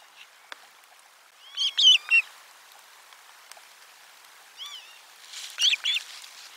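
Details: Osprey at nest 4 on 12 July 2022, lunch fish delivery: a few slurred whistled notes, a soft single note, then another brief pair, fairly quiet against light background chirping.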